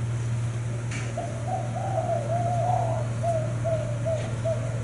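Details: Caged spotted dove, kept as a frequent cooer, gives a soft, low, hooting coo in a run of quick repeated notes, over a steady electrical hum.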